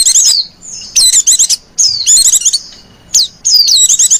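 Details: Female white-eye calling to lure other white-eyes: loud, high, rapid chirping phrases of falling whistled notes and quick warbled twitters, delivered in dense bursts about every second.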